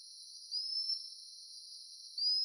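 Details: A Common Sandpiper (Actitis hypoleucos) at Sungei Buloh Wetland Reserve, a mangrove site in Singapore, calls two thin, high, slightly rising whistled notes about one and a half seconds apart, over a faint steady hiss.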